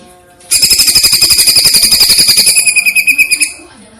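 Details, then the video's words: Greater green leafbird (cucak ijo) masteran training song: a three-second burst of rapid, evenly repeated high piercing chirps, roughly four per second, starting abruptly and fading out. "masteran cucak ijo rasa platuk vs cililin dgn jeda"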